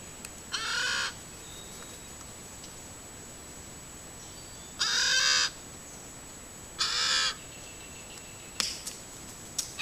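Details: Camera-trap recording of a crow begging: three harsh, rasping calls spaced about two to three seconds apart, followed by a few faint clicks, over a steady high-pitched hum.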